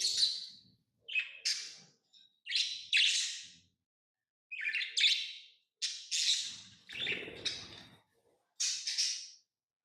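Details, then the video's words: Pet lovebirds chirping: a steady run of high, piercing chirps in short clusters, roughly one cluster every second, with a brief scratchy rustle near the end. "lovebirds chirping sounds"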